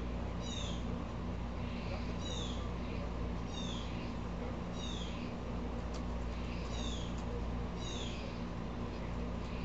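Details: Repeated scratchy descending calls from an upset blue jay, about six in the run, with faint clicks and a constant low drone; squirrels are said to be upset as well.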